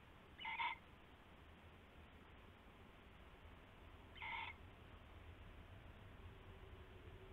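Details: Owl calling in darkness around 4 AM, February 19, 2016, as rabbit prey changes hands; two brief rough calls roughly three and a half seconds apart, with quiet steady hum between.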